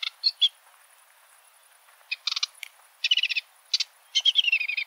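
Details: Sedge warbler song of varied scratchy chirps and short buzzy bursts, broken by pauses, with a final fast chattering run of notes slipping slightly lower.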